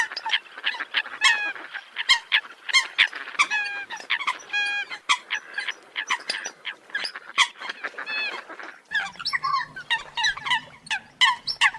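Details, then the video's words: A flock of Eurasian coots gives sharp, honking call notes in rapid succession, some with a bent, wavering pitch. The notes overlap closely, and a low hum joins in near the end. "tiếng chim sâm cầm"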